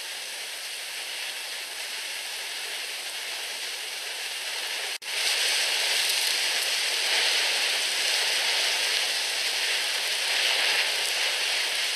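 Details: Steady broadband hiss like rain or wind noise, with a sharp break at five seconds and louder hiss after; no animal calls stand out.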